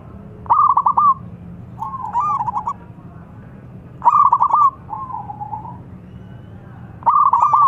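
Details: Local zebra dove calling, with a rival answering at once. Loud, rapid, stuttering cooed phrases every three seconds alternate with a softer, lower, wavering coo from the second bird. A low hum runs underneath.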